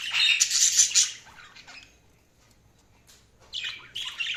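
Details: Budgies burst into a loud, dense, harsh warble for about a second, trailing off into softer scratchy notes, then fall quiet before two more rasping chirps near the end.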